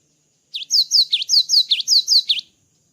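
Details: Java sparrow in song after moulting: a quick string of about ten sharp, high chirps, each a falling then rising note, delivered evenly over two seconds in a quiet setting.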